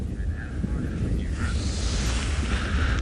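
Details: Only steady low rumbling wind and vehicle noise, with no clear animal voice.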